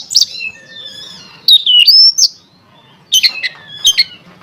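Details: Oriental magpie-robin song used to provoke rivals into singing: a long falling whistled slur and a rising sweep, then a pause before a cluster of sharp, scratchy chips.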